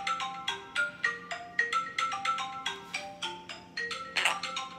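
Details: A plinking, marimba-like ringtone melody of quick struck notes plays over a faint steady hum, with no animal voice.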